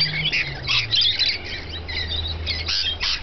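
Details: Rainbow lorikeets feeding, giving a continuous stream of harsh, screechy squawks and chattering bursts that overlap from several birds, with a steady low hum underneath.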